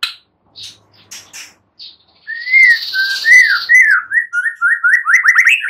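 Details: White-rumped shama: scattered soft chips give way to a run of loud, varied whistled phrases, arched and rising slurs quickening into rapid upward sweeps toward the end.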